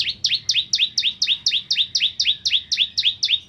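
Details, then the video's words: Singing bar-winged prinia recorded as a master track for white-rumped shamas: a continuous, very regular series of loud doubled chirps, about four per second, each a high sharp note gliding into a lower sweep. "Burung Ciblek Kristal Gacor Untuk Masteran Murai Batu"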